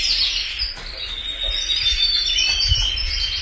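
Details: Canary chorus of steady high-pitched trills and quick chirping notes, sung continuously at an even level throughout.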